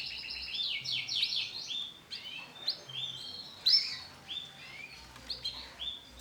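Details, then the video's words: Male canary of a yellow bon colour variety singing: rapid buzzy trills and rising, falling whistled phrases, high and bright, in quick varied bursts, with a faint low hum in the background. "CANARY JANTAN WARNA BON KUNING"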